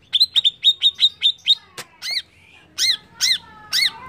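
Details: Greater green leafbird song used as a lure to provoke other birds: a fast run of bright whistled notes near one pitch, then a sharp click and several loud arched, ringing notes with clear overtones, spaced about half a second apart.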